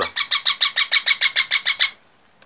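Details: Baby parrot calling with twelve rasping, hissy notes in a fast, even rhythm lasting nearly two seconds, then falling silent.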